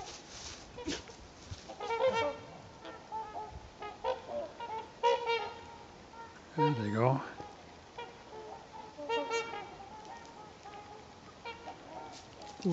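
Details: Flock of migrating trumpeter swans on Garfield Lake, a pair flying over the water: repeated trumpeting honks in scattered bursts every second or two, with a man talking and a brief low swooping noise midway.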